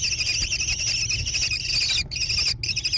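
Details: Nestling American kestrels near Prairie du Chien, Wisconsin, 14 June 2022, in a gravel nest box on a barn. Shrill rapid chattering runs for two seconds, then breaks into two shorter bursts.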